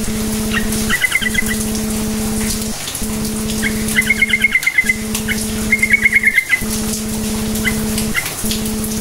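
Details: Yellow-vented bulbul singing a lure song to rouse other bulbuls: three short bursts of rapid, doubled chirping notes, with a steady pulsing hum throughout.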